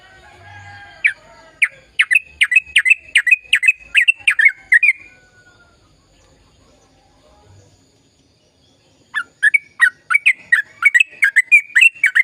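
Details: Long lively song of a sooty-headed bulbul, meant to rouse silent birds: a rapid chattering run of chirps, a silence of several seconds, then another fast burst of sharp notes.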